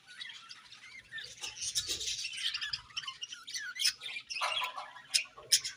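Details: Softer, more distant morning chirping of budgerigars, squeaky rising and falling notes mixed with sharp clicks over a faint low hum.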